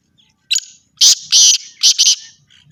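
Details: Black francolin calling: a short sharp note, then a longer run of harsh grating bursts and two quick rasping notes, loud and dry in a quiet setting.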